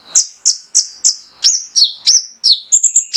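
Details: Male mangrove whistler song played to provoke caged birds to sing: a steady run of high, sharp whistled notes about three per second, some slurring downward, ending in a quick triple flourish.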